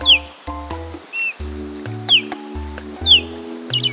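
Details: Osprey calling with thin, high whistled notes that slide downward, heard three or four times against a backdrop of gentle music.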